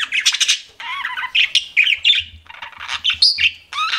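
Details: Chattering pet budgies mix scratchy squawks, wavering whistles and clicky chirps in short, quickly changing phrases, with a faint low hum underneath.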